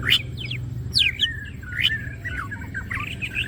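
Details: Greater green leafbird singing hard with opened wings: bright descending slurred whistles and quick chirps, then a twittering chatter of short wavering notes, about seventy phrases a minute.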